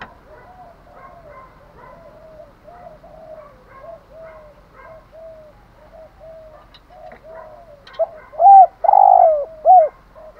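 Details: Spotted dove cooing in the urging-coo and calling-crow styles that keepers play to stimulate and lure birds: soft, hollow, repeated coos at a quick, uneven pace, then louder, drawn-out coos in the final two seconds.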